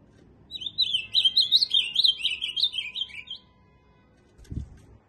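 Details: Ultramarine grosbeak singing one warbled phrase of about three seconds, quick slurred notes rising and falling before dropping lower at the end, followed by a soft thump.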